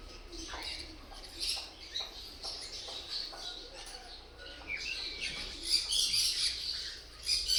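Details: Continuous high-pitched lovebird twittering, soft at first with scattered short chirps, then growing busier and louder with dense overlapping squeaks toward the end.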